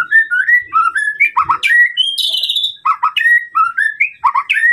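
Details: White-rumped shama song for provoking a rival: clear whistled notes stepping upward, quick double slurs, a buzzy high trill near the middle, and repeated bright whistles throughout.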